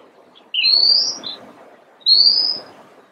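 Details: Long, clear, high whistles from an Oriental magpie-robin, each rising slightly, with a brief lower note before the first, spaced about a second and a half apart over low ambient noise.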